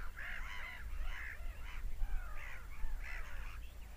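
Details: Screaming seagulls, a few loud arched wailing cries about every half second, partly overlapping, with a low rumbling background.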